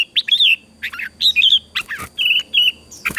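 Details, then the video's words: Red-whiskered bulbul in competition-style song for bird training: rich warbling whistles rising and falling in separate short phrases, with sharp clicks and chirps between them, about one phrase every second. "Chào mào hót đấu"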